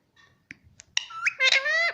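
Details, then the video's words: Indian ringneck parrot kept as a pet, talking mummy and papa in Hindi; faint clicks and soft sounds, then a loud, rising, nasal harmonic phrase held briefly at the end, in a small room. "parrot talking mummy || papa bolta tota || indian ringneck parrot"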